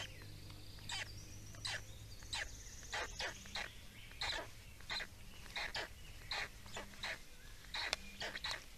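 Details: Estonian Black Storks feeding, recorded 17 May 2019; sharp, rasping, cough-like bursts repeat irregularly about every half second, with a few clear whistled notes early on and a low steady hum underneath.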